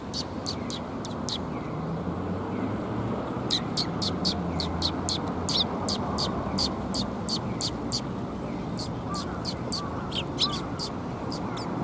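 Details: Sparrows coming to be fed at a Tenmangu shrine on 28 January 2021: short high chirps in loose bursts over a steady low rumble of traffic and background noise.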